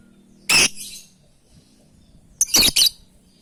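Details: Lovebird calling to its companions with loud harsh high shrieks, one single and one doubled, separated by about two seconds of quiet with a low hum.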